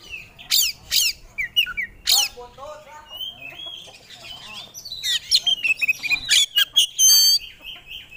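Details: Caged oriental magpie-robin (kacer) singing a mixed, scratchy medley of sharp chips, mid-pitched chattering notes and whistled slurs, with quieter passages and a dense burst of high twittering toward the end.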